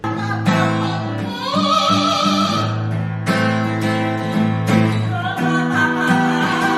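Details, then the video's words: Trained singing Amazon parrot, which sings only when its female owner is nearby, sings a sustained, wavering, voice-like melody with rising glides over strummed acoustic guitar, which carries most of the sound. "Singing Amazon Parrot"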